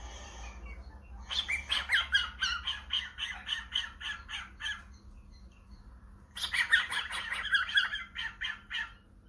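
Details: Cockatiel at home answering a phone call with two long bouts of rapid, harsh pulsed squawking, each lasting several seconds.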